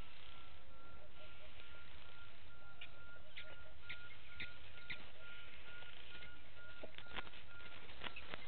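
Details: Blacksmith lapwing family with one chick at Gowrie dam waterhole, Djuma Game Reserve, Sabi Sand Wildtuin, South Africa, 06:28 on 09/08/18; sharp metallic clicks start after a quiet stretch and grow more frequent, over a steady faint hum and low rumble.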